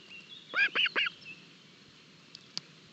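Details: Osprey chicks at breakfast feeding in their nest in Barlinek forest, 25 June 2022, nest camera: three quick sharp chirped calls in a row, then quiet with a faint click.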